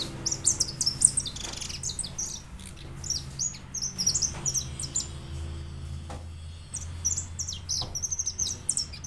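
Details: A white European goldfinch, recorded in 2013, delivers bursts of bright, high twittering and chattering notes broken by brief pauses, over a steady low-pitched hum and occasional clicks.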